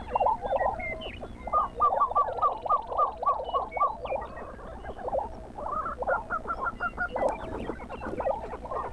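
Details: Lesser prairie chickens heard at dawn near Buffalo, Oklahoma: a rapid series of pulsed, bubbling hoots about three per second, followed by cackling yelps and overlapping chatter from more birds.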